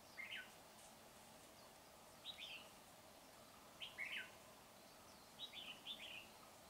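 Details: Red-whiskered bulbul, a decoy bird used in trapping to lure and fight wild birds, recorded 19 January 2021. Short bright warbled phrases of a few quick notes come in four bursts about every one and a half to two seconds over a steady low hiss.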